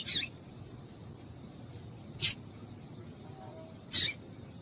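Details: Female double-collared seedeater calling to stimulate the male: three short, sharp, high chips, each a brief bright burst, spaced roughly two seconds apart against a quiet, faintly hissing background.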